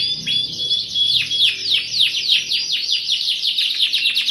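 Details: Canary singing gacor for a pancingan lure, cuit cuit nembak style: a sustained high trill of sharp descending chirps, about three per second, a steady whistled tone running through the opening.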